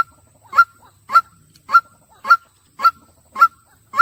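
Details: White-breasted waterhen repeating a single loud, nasal honking note about every half second in a steady, monotonous series against a quiet background.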